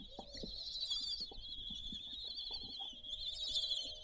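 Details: Common kestrel family feeding on a nest balcony in Théding, France, on 20 June 2022; an unbroken high wavering chatter runs throughout, with low tapping and knocking beneath.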